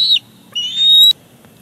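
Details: Bald eagle at a Big Bear Lake nest, July 18, 2019, during a fish delivery from the father to the chick. A brief sharp chip, then one longer piercing whistle rising slightly before cutting off.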